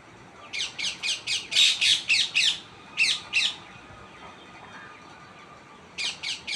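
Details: Series of raspy tree parrot squawks in quick succession: a run of about eight calls, then two more after a short break. After a quieter gap, three final squawks come, all over constant background hiss.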